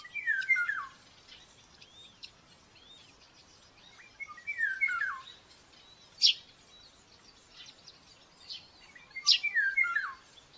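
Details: Common buzzard chick at a nest in Tiszalök, Hungary, filmed by nest camera at breakfast feeding on May 5, 2024. It gives three loud, slurred, descending squealing calls about every five seconds, with small birds chirping high in the background.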